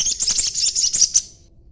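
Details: A young sogon chatters in a rapid, high, scratchy string of notes lasting just over a second, then falls silent. Its chatter is used to lure other birds into answering.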